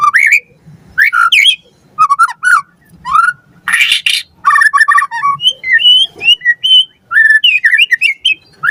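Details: White-rumped shama singing on a lure track meant to prompt captive birds: mixed melodious whistles, slurred upward notes and one harsh rasping burst, delivered in quick, varied phrases.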